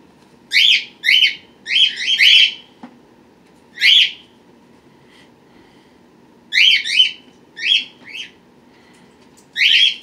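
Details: Pet birds recorded indoors April 23, 2018, with babies hatched March 31 and April 1: loud, bright ringing chirps in quick pairs and clusters, about fourteen in ten seconds, with quiet gaps between bursts.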